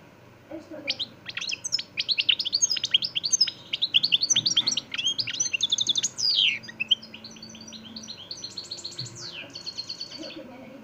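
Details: Caged European goldfinch singing a non-stop song of the Extremadura style from Montijo; a rapid, continuous stream of bright twittering notes, sharp chirps and buzzy trills, dense and high-pitched, with a faint murmur in the background.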